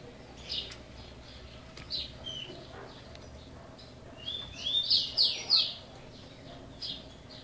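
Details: Chopi blackbird of the criôlo style, kept in a cage, Brazil; mostly quiet with a few scattered whistles, then a short burst of loud, sweeping, slurred notes near the end.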